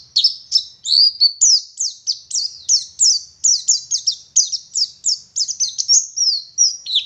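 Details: Oriental white-eye of the local dakun type from Garut, West Java, singing in the gacor ngalas style: a nonstop chain of high, thin, downslurred whistled notes, about three per second, with no other sounds.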